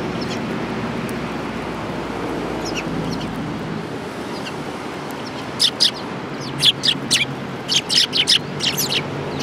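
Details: Sparrows gathering at food at a Tenmangu shrine on 22 January 2018; after a quiet opening with steady background hum, a loose burst of short, sharp high chirps begins around midway and continues in irregular clusters.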